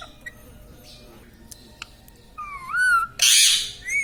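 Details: Pet parrot indoors, taught to say words like mummy, mithu and radhe radhe; after a quiet start comes one wavering, whistle-like spoken phrase, then a harsh, loud squawk and a short higher note.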